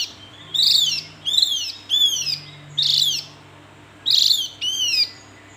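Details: Repeated rasping calls of a Javan grey-throated white-eye, six sharp falling notes roughly every half to one second, some doubled, over a low background drone.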